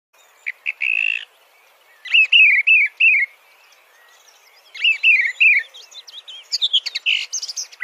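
Song thrush singing clear, whistled phrases, each note repeated three or four times in quick bursts, with brief pauses between phrases and no other sounds.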